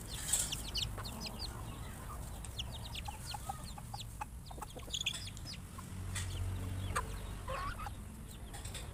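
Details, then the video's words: A flock of farm chickens eating and startled by a noise; clustered high chirps and clucks, busier in the first half, with pecking taps and low rumble. "Many chickens are surprised when they hear a noise while eating their next meal"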